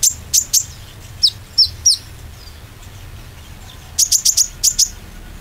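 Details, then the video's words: Oriental white-eye chirps used as a lure so green and young birds gain nerve to sing: sharp high notes, singly and in rapid runs of four or five, separated by a quiet pause. "pancingan konin ‼ khusus konin ijoan dan trotol supaya bermental"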